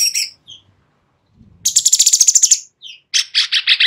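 A sooty-headed bulbul sings high, chattering bursts: a fast run of about ten sharp repeated notes, then a few brisk, scratchy phrases after a brief pause.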